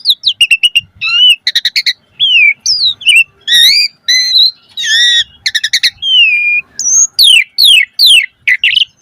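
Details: Asian pied starling in a long, dense 'mompa' song. Rapid chattering notes mix with looping and falling whistles and sharp rising and falling sweeps, sung almost without pause.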